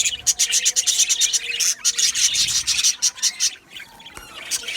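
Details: Aviary Budgerigars producing quick runs of sharp high chirps in pulsing bursts, fading to softer scattered notes toward the close.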